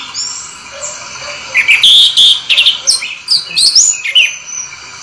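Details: An orange-headed thrush rolls out its song: a soft high whistle at first, then a dense burst of bright twittering and slurred notes in quick succession.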